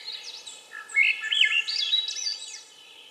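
Swainson's thrush singing a flutey, reedy phrase that spirals upward through several quick rising notes, fading at the end, over faint background hiss.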